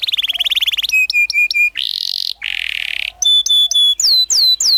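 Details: Canary master song in the rolling 'ngerol' style for young canaries learning the 'ngriwik' sound: a quick trill, repeated ringing notes, two harsh buzzy phrases, then bright metallic notes and looping falling whistles.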